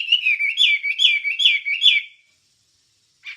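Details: Wambie song used to train songbirds: two seconds of bright, rolling whistles that dip and rise in a quick repeated pattern, fading out, with a short faint chirp after a pause.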